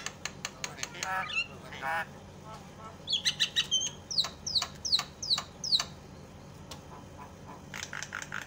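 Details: Javan myna calls used as a lure to make silent mynas start calling: a series of sharp clicks and harsh rasping squawks, then five loud descending chack notes about half a second apart, with more chattering at the end.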